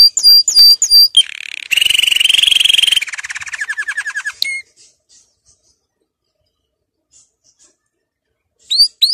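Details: Song of a canary meant for schooling young birds: sharp upslurred chirps, then a loud buzzy trill, then a slower roll of falling notes, a single whistle, and quiet pauses with faint clicks.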